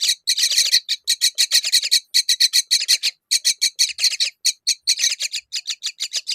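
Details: At a myna feeding figs to her young, harsh, raspy, hissing bursts come about four or five a second, in a steady, insistent stream with only brief pauses.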